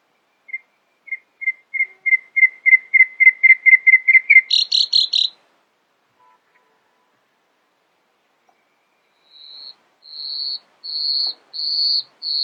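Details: Nightingale singing in the early morning: about fifteen pure whistled notes speed up and swell, end in a brief buzzy flourish, then after a pause come slow, drawn-out high whistles.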